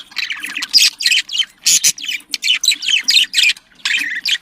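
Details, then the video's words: Pet budgerigars giving a breeding-stimulation call: loud rhythmic bursts of scratchy chirps and squawks, roughly three per second, with short pauses between. "muhabbet kuşu kızıştırma sesi muhabbet kuşu sesi muhabbet kuşu çiftleştirme sesi صوت تزاوج طيور الحب"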